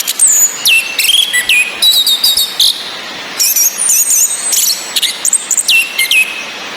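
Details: Orange-headed thrush, female whistles plus rain and relaxed male singing to trigger song in silent males: high sliding whistles, quick chirps and descending slurs in several bursts separated by short pauses, with continuous hiss.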